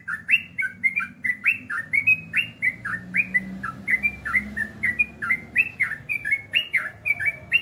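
A Yellow-vented Bulbul pours out a fast, unbroken run of bubbly, slurred notes, about three or four each second, over a faint low hum.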